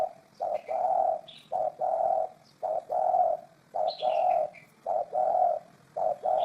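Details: Spotted dove cooing, from a 2018 compilation of its calls: low mellow coos in paired phrases, a short note then a longer drawn-out one, repeating about every second and a half, with faint high chirps of small birds above.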